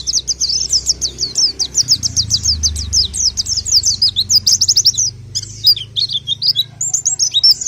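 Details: Orange-headed thrush (pelci) rattling off a long fast sequence of high, sharply slurred notes, then a pause and a few varied squeaky phrases, over a low hum.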